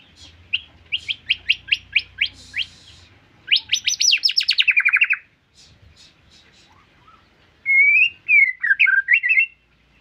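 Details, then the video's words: White-rumped shama song: a series of evenly repeated sharp notes, a fast bright trill dropping in pitch, a pause, then looping fluty warbles. "Murai Gacor Full Durasi"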